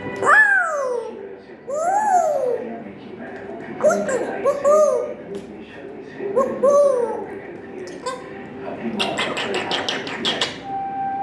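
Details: An African grey parrot, in a chatting mood, chatters with arched, whistled notes and speech-like phrases, pausing between bursts.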